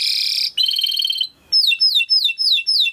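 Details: Timbrado canary training song: a loud, harsh, buzzy roll, then a metallic rapid trill, followed by a series of clear descending swooping whistles repeated about every quarter second.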